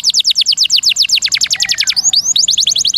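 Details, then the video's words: Training song of a canary, long rolling phrases with varied bursts: a rapid chain of bright descending whistled notes, briefly broken by a couple of upward slurs, then resuming at the same quick pace. "Masteran Burung Semua Jenis Burung Kenari [Rool Panjang,Variasi Tembakan]"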